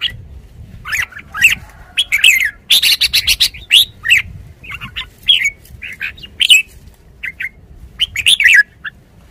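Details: Decoy Red-whiskered bulbul singing from a cage: dense clusters of high, chirpy whistled notes and short slurs, repeated energetically with small gaps between bursts.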